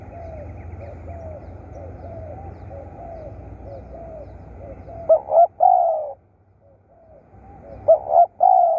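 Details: Decoy spotted dove giving low mellow coos: faint distant cooing from other doves first, then two loud phrases of quick stuttered notes ending in a long sliding coo, separated by a brief silence.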